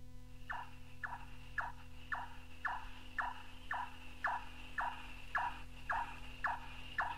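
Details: White-tailed or large-tailed nightjar from North Queensland tropical rainforest, taken from an old cassette: a steady series of hollow knocking 'chonk' notes, about two per second, over a constant low tape hum.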